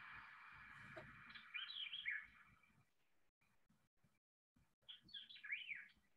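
A White-eyed Vireo sings two quick, emphatic phrases of slurred, high whistled notes, often remembered as 'eat your cheerios quick', over a steady low background hiss.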